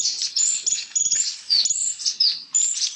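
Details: Black-faced warblers (Abroscopus schisticeps) splashing and bathing in Yunnan, China, giving high, thin chirps in quick bursts about twice a second, some with brief sharp notes, over soft background noise.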